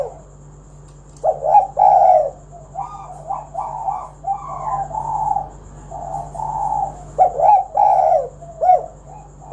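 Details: Spotted dove, kuk 1 song played to coax other doves to sing: overlapping husky coos, one phrase running into another with softer cooing between louder phrases, over a constant low hum.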